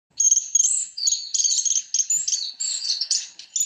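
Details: Black-faced Warblers bathing and splashing in Yunnan, China, giving a fast, high, thin twittering chatter of bright, buzzy notes in short bursts, with no other sounds.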